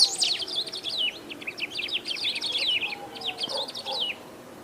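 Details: Great pampa-finch, a rare Brazilian bird, in continuous loud song: rapid runs of high, sharply modulated chirping notes in clustered bursts, fading near the end, with faint lower calls in the background.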